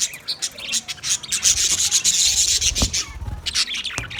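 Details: Green budgerigar giving a rasping, buzzy warble that swells into a sustained noisy stretch midway, broken by sharp chirps and clicks, with faint low thumps beneath.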